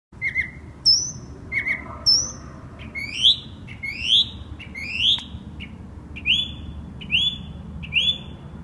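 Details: Northern mockingbird singing at night in West Brighton, an insomniac bird with a wide repertoire: high whistled phrases, each repeated two or three times before switching to rising buzzy slurs and then flat upswept notes, over a steady low hum.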